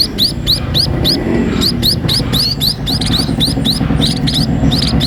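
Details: Rapid high chirps from a sparrow being fed, each note a quick rising squeak repeated about three to four times a second in uneven bursts, with a continuous low humming sound underneath.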